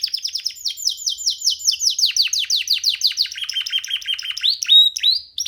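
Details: Free-flying young canary singing while perched on a hand: a fast chain of bright descending whistled sweeps, repeated several times a second, shifting to lower rolling notes and a few sharp rising whistles near the end.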